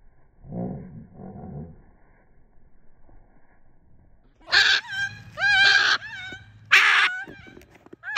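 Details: Macaw coming out of a trunk and flying into the air: after low murmuring, three loud, harsh, grating squawks with a wavering tone, each about a second long, as people coax it to fly.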